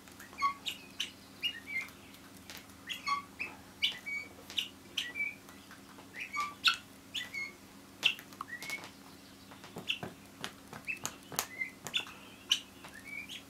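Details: Indoors, two pet guineafowl perched on a chair scratch at it like a cat while uttering many quick high chirps, some doubled, amid frequent crisp scratching and tapping clicks over a faint hum.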